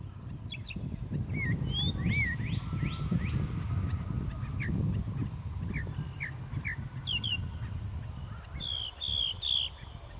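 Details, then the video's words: Common nightingale singing on a plain behind a house in the village of Florida: scattered high notes of quick whistled sweeps, upslurs and short rattling bursts, over a steady low rumble and a thin, constant high hiss. "Ruiseñor cantando"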